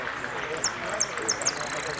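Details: Hooded siskin in the Amarillo Completo class at a winners' final singing contest in Merlo, giving quick high, thin, downslurred twittering notes about every quarter second over a steady murmur of voices and hall noise.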